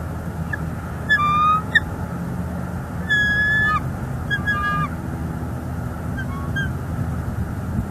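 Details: On a northeast Florida nest watched by a live cam in December 2021, the female bald eagle reacts as her mate brings sticks. Several short clusters of high, chattering whistles spread over eight seconds, then a faint last note, with low steady hum.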